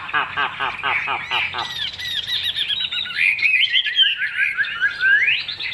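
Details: Caged hwamei noted for its fine singing and fig-leaf tail opens with a quick series of harsh, harmonic-rich notes, then switches to a flowing, warbled stream of high whistles that climbs toward the close.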